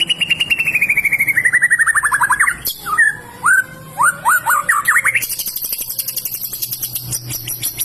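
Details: Energetic white-rumped shama singing: a long rapid run of repeated notes slowly dropping in pitch, then several separate upswept whistles, ending in a thin, very high, fast trill.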